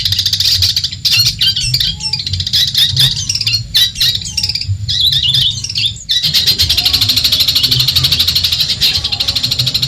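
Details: Madura long-tailed shrike used as a singing model for other birds: scratchy varied chirps and squeaks, then after a short pause a long, fast, buzzy high trill, over a low hum.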